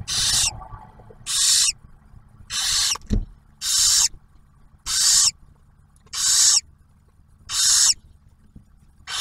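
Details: Barn owls at a nest camera at Ottawa National Wildlife Refuge near Oak Harbor, Ohio, as the male delivers food and the female shares a meal with the first-hatched owlet; eight harsh, breathy hissing screeches, each about half a second, repeated steadily.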